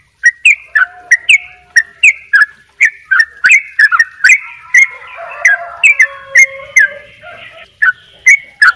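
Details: Yellow-vented bulbul from Bali singing actively in the double ropel style: loud, bubbly two-part notes repeated in quick bursts, each a sharp upward flick then a warbled drop, with a faint lower whistle running under the later phrases.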